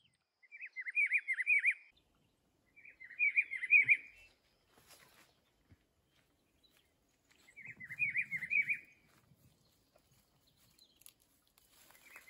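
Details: Atlantic Forest rufous-browed peppershrike repeating its melodious warbling phrase three times, each a quick run of looping whistled notes, with pauses of one to three seconds between; faint low rustling in the background.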